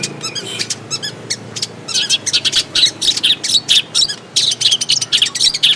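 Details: Long-tailed shrike singing in the wild: quick scratchy chirps at first, building into loud, harsh, chattering bursts repeated about twice a second.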